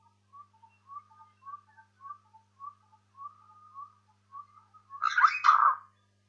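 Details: Burchell's starling recorded close up: a series of soft, low whistled notes, some paired, spaced irregularly, then a louder, harsher burst of gurgling, chattering sound near the end.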